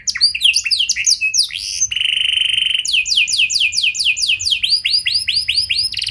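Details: Canary lure song with long trills in the luxurious 'cengkok mewah' style, for getting other canaries to sing. Tumbling swooped notes lead into a steady, held buzz of about a second, followed by rows of arched, rapidly repeated whistles.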